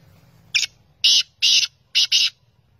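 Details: Kala teetar, or black francolin, in Pakistan giving its grating call: one brief rasp, then two drawn-out harsh notes and a fast final double note, all strident and scratchy, with faint low rumble behind.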